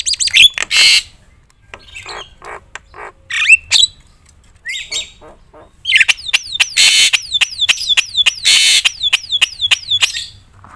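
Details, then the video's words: Vigorous Javan myna song full of varied phrases, used to excite other mynas: harsh rasps and squeaky notes with short whistles, then loud noisy bursts interleaved with rapid repeated downslurred whistles. "suara KERAS jalak kebo gacor full isian bikin semua burung jalak emosi gacor"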